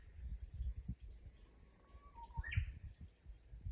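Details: Japanese bush warbler in a rural chorus beside water: a soft whistle dips slightly, then jumps into a brief, rising, bright flourish, set against a rumbling, splashing water background.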